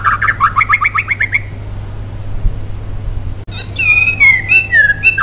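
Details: White-rumped shama song used as a lure to make other shamas sing: a rapid series of repeated chirps near the start, a pause, then varied whistled notes, rising and falling sweeps, over a low steady hum.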